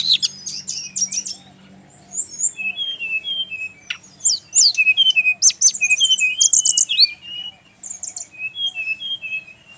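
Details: Male Brown-chested jungle flycatcher from the Bali region, a kept bird, giving a lively song of high chirps and short whistles. A quieter stretch precedes a rapid run of repeated twittering notes over low background hum.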